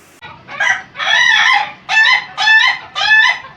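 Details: Ayam Ketawa rooster of national contest quality crowing: a short rising note, then a long rough syllable and three shorter bursts in a halting, laughing rhythm, each about half a second, with faint low background hum.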